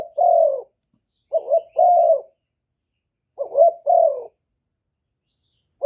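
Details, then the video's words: Cà Mau spotted dove, a kept bird, calling in a clean recording meant to provoke rival doves: low mellow coos in paired phrases, a short rising note then a drawn-out descending one, repeating steadily with silent gaps. "Tiếng chim cu gáy kích bổi giọng hạp bổi"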